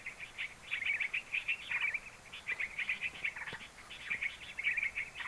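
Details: Hill prinia from Sumatra, a recording used as a lure while trapping with a net. Rapid clusters of chirpy, scratchy notes repeat in quick bursts throughout with faint background hiss.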